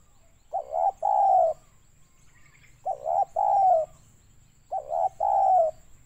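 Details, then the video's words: Spotted dove lure call in the 'banggo sayur' style, for trapping doves in Pekanbaru, Riau, Indonesia: three mellow, low cooing phrases, each a short note then a longer wavering coo, spaced about two seconds apart, over quiet background. "mikat tekukur target suara banggo sayur"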